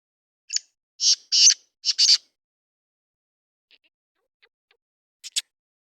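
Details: Black francolin (kala teetar) calling: one short harsh note, then two longer grating, rasping notes and a doubled scratchy phrase. After a quiet gap come two quick sharp notes. No other sounds.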